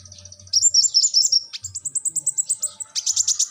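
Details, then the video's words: A brown-throated sunbird sings vigorously, shifting from a high warbled jumble into a steady train of evenly spaced sharp chips and ending with a loud buzzy flurry. "kolibri ninja gacor"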